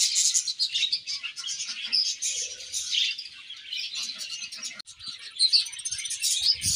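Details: Budgerigars in a colony produce a dense chorus of high chirps and warbling chatter, briefly quieter midway, then bursting loudly again.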